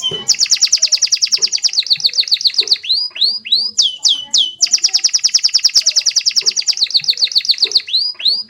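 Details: Canary delivering a rolling song: long, very rapid high trills like a continuous roll, broken by a few slower swooping whistles, then the fast roll resumes, with light clicks underneath.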